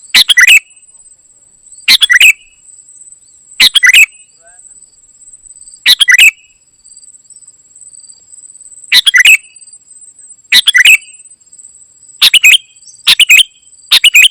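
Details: Golden-fronted leafbird singing in energetic gacor isian style. Short bursts of three or four chirpy, slurred notes are delivered irregularly, nine bursts in fourteen seconds, over a steady thin high whine.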